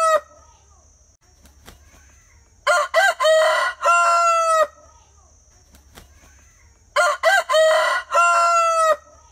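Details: Crowing rooster, two complete cock-a-doodle-doo calls about four seconds apart, each of quick stacked syllables leading into a drawn-out ringing final note; the tail of an earlier crow opens, with a faint background hum throughout.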